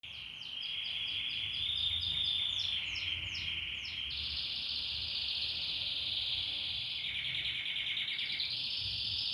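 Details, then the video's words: Canary singing, purebred or not, valued as a good singer: a long varied song of rapid repeated downslurred notes, then sustained bright trilled rolls, continuous and loud throughout. "O IMPORTANTE É QUE O CANÁRIO CANTE"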